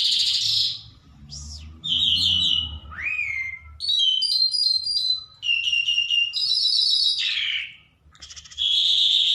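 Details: Trained, hand-tame lark singing in the open, a varied run of whistled and buzzy phrases, some rising, some sharply falling, high and bright with brief pauses between bursts.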